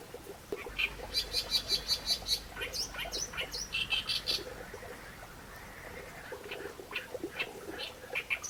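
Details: Reed warbler song of repeated scratchy notes in quick runs, then looser chatter and a faint background hum.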